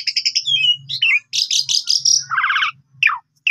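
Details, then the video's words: Asian pied starling singing in Indonesia, played as a lure and tutor for other birds: varied loud phrases mixing high whistles, buzzy trills and rapid harsh rattles, with a falling whistled note near the end. "Pancingan Jalak Suren Ampuh Pagi Siang Malam Full Gacor"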